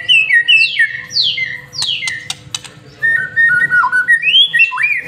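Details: White-rumped shama in full song, played to stimulate other birds: loud downward-sweeping whistles repeated several times, sharp clicks, then clear level whistled notes and upslurs, with a soft steady hum.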